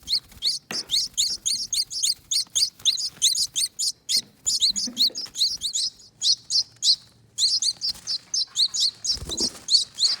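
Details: Begging from two hand-fed baby finches that hatched at a front door wreath. Dense, insistent high-pitched squeaking chirps with hardly a gap, over faint low knocks and handling sounds.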